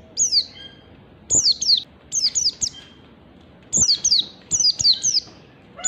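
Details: Oriental white-eye, locally pleci ngalas, wild standard type. It gives six rapid bursts of thin, very high chirps, each sliding steeply downward, in pairs and triplets at uneven intervals.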